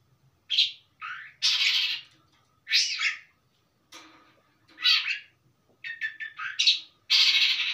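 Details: Long-tailed shrike singing steadily with plenty of varied fill material. Loud, separate harsh squawks and shrill whistled phrases are spaced by short silences, ending in a rapid stuttering series and a long rasping burst.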